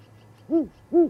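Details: An owl at dawn on 29 January 2019 at an osprey nest in Charlo, Montana gives two short, mellow hoots about half a second apart, each swelling up and falling back in pitch, over a faint low hum.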